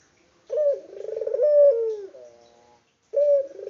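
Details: A local spotted dove gives a single throaty coo: a clear opening note, a fast rolling trill, a steady hum sliding down, then the start of the next phrase after a short pause.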